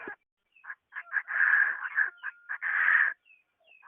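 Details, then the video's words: Harsh, scratchy calls of a female Chinese francolin luring males, recorded 2021: brief choppy notes building into two longer grating bursts, then quiet thin whistles. "poj noog qaib qas qas quaj lau log zoo kaws 2021 chim đa đa máy kit tróng về nhanh 2021"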